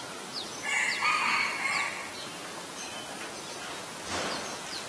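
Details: Common Myna, Ubon Ratchathani, Thailand, May 3, 2022, taken with a Nikon P1000: one rough, buzzy, chattering phrase in the first half, with faint high chirps from other birds and a soft background rustle.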